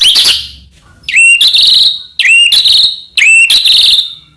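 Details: White-rumped shama (murai batu) singing a rich, varied song used as master song to provoke other shamas into singing: a high warbled phrase, then three loud repeated whistled phrases, each starting with a rising upslurred note about a second apart.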